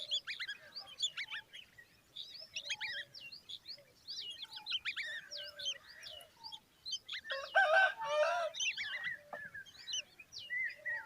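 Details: Common babbler chicks beside their mother keep up a busy stream of high chirps and squeaks, broken by a brief louder harsh burst about two-thirds of the way through, with softer low notes underneath.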